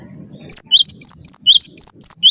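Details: Master song of a lively cinereous tit for training birds: a rapid run of bright, slurred notes, each a high piercing element dropping to a rising whistle, evenly repeated roughly four per second, with a faint low rumble behind.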